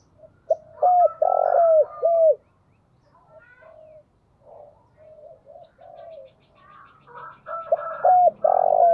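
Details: Decoy spotted dove calling with two loud phrases of low, arched, hollow coos, one near the start and one at the end. Quieter, softer cooing runs between them.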